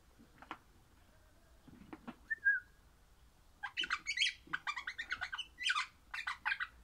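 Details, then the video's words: Happy pet crimson rosella of an orange colour form singing: a few sharp chips and a brief whistle, then a fast burst of harsh chattering notes mixed with squeaky whistles, indoors with little other sound. "Happy Parrot Crimson Rossela Pennant Orange Singing"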